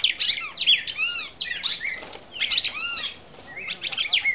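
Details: Female red-crested cardinal from Brazil singing: quick bursts of high, curved chirps and slurred whistles, some arching down lower, in phrases broken by short pauses.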